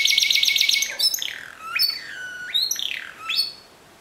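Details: Song of a Timbrado canary in the discontinuous style, opening with a fast buzzy trill, followed by a series of separate swooping notes that fall in pitch, fading out after about three and a half seconds.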